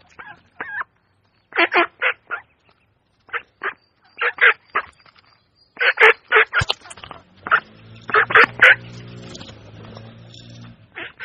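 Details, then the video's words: Quacking duck at a pond where a duckling is present, giving short rasping quacks in uneven clusters with brief pauses, over a low steady hum in the second half. "Duck Sound duckling in the pond -duck quack"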